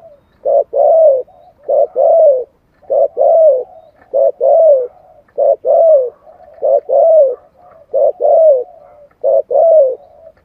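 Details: Spotted dove singing 'giọng thổ' lure cooing to excite birds into answering: very regular series of phrases, a crisp short note leading into a longer, soft, downward-sliding coo, about eight phrases back to back in a quiet setting.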